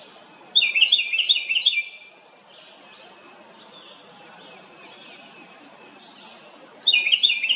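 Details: House wren making a loud noise: two bursts of bubbly, rapid, chattering high notes, each lasting about a second, separated by a long quiet gap with faint distant chirps.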